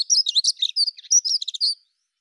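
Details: Brief Dunnock song phrase of under two seconds, rapid high squeaky notes jangling up and down without pause.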